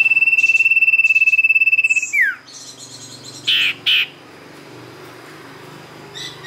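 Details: Sirtu lure song: a two-second rapid, steady high trill dropping away in a steep slur, followed by two short bursts of harsh high chatter and quieter background twitters.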